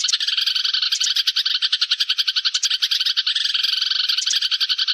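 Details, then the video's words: Flock call of sparrows used as a lure: busy, unbroken high-pitched chirping from many birds, quick overlapping notes tumbling over one another without a break. "tiếng chim sẻ gọi bầy"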